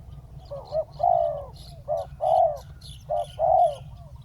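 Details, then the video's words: Ground-set decoy spotted dove drawing a wild bird down, uttering three phrases, each a short quavering note leading into a longer, slightly falling hoarse coo, with faint high chirps from other birds. "เสียงนกเขาใหญ่ ต่อ นกเขาใหญ่ EP9 นกเขาใหญ่ต่อดิน"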